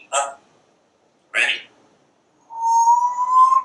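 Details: Caged pet parrot chattering on a screened back porch as it watches squirrels and birds: two clipped, voice-like syllables about a second apart, then a long, steady, slightly rising whistle.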